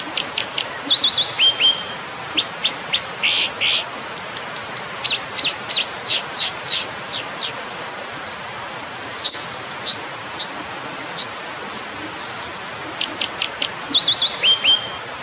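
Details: Brown dipper singing a long, varied high-pitched phrase: rapid sharp chips, short trills and thin sustained whistles in bursts, with a pause midway before another lively run, over steady rushing background noise.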